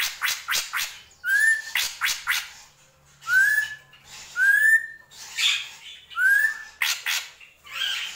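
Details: Drongo in gentolang style: quick runs of dry, clicking strokes alternate with clear, ringing whistles that sweep upward and flatten, repeated four times over about eight seconds.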